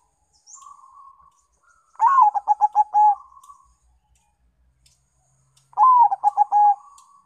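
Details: A Bangkok local crossbreed zebra dove sings as a lure: a soft tone, then two full phrases about four seconds apart, each a sliding coo, rapid clipped notes and a held ending, with a faint high chirp early on.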